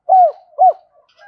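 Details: Spotted dove cooing in the gù style, a recording for drawing decoy birds: two short mellow coos, each rising then falling, about half a second apart, with a faint trailing note and no other sounds.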